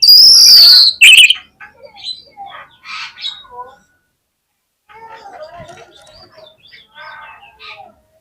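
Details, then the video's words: Oriental magpie-robin lure song, played to provoke singing: a loud high drawn-out whistle and sharp note open, then scattered soft twittering and warbled notes with pauses. "KACER LANGSUNG PECAH SUARA MENDENGAR PANCINGAN INI !!! KACER LOYO PASTI IKUT GACOR"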